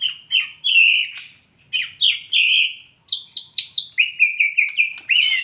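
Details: Female white-rumped shama: a run of loud, clear whistled notes, some slurred and some held, stepping between mid and high pitch in short bursts with brief pauses, ending in a quick rising flourish.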